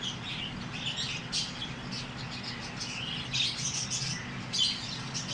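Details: Busy twittering of small Australian parrots, many overlapping high chirps and warbles running without a break, some notes a little louder near the end, above a faint low drone.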